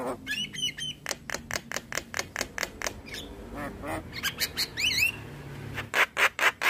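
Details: Javan myna singing in the morning, a training lure for young mynas: fast harsh rasping notes with whistled twists at start and middle, a rising whistled flourish, then loud buzzy bursts.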